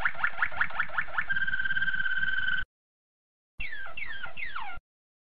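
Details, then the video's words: Malinois canary sings a quick run of about eight repeated rising notes, then a steady ringing roll, and after a pause falling liquid slurs, over a low rumble. "تغريد طائر الكناري مالينوا canari malinois"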